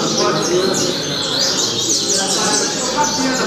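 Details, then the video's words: Seedeater (coleiro) in Altas Horas song: a brisk burst of high, sharply falling whistled notes in close succession over constant hiss. "Coleiro Altas Horas"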